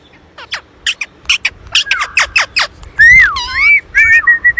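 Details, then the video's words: Two pet Indian rose-ringed parakeets chatter in quick, scratchy squawks, then give long whistled notes that swoop down and rise, some held steady and clear. "making noise"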